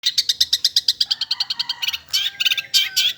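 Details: Long-tailed shrike singing actively: a fast run of short, sharp high chirps, about eight per second at first, pausing briefly before bursts of denser, buzzier notes with a faint low hum beneath.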